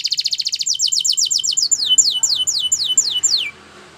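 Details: A Spanish Timbrado canary sings a training song: a fast, high trill of about a dozen notes, then a run of sweeping, falling whistles repeated about five times a second.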